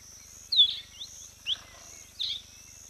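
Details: A female giant kingfisher at a lodge hide in the Olkirimatian Conservancy, South Rift Valley, southwest Kenya, gives four sharp, high, downslurred notes about half a second apart, over a steady high insect drone.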